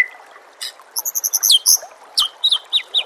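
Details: Training song of the White-rumped shama with water sounds behind: a quick string of sharp, very high staccato chirps followed by bright descending whistled slurs.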